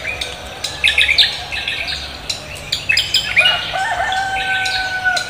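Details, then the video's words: Busy cucak kombo morning song: dense bursts of high chirps and trills, with sustained level whistled tones running through the latter half. "cucak kombo koak kelapa gacor menyambut pagi"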